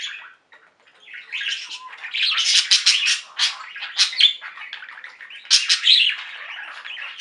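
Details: A singing budgerigar flock starting quietly, then swelling into dense raspy chattering and warbles, with loud sharp chirps breaking through in the second half.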